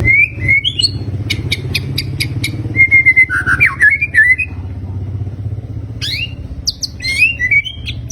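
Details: Fighter murai batu (white-rumped shama) in a 'tembakan' display: whistled notes, a run of crisp clicks, tumbling descending warbles, then quick rising sweeps and chirps, with a constant low hum beneath.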